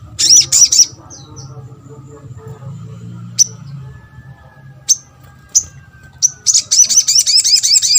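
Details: Little spiderhunter lure calls meant to draw answers from others: a brief high trill, several widely spaced sharp chips, then a steady run of rapid repeated high notes over a low background hum.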